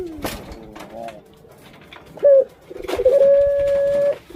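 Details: Breeding female puter pelung dove nearing egg-laying gives a short coo, then a steady, flat, drawn-out tonal coo of over a second. Faint clicks and low room noise underneath.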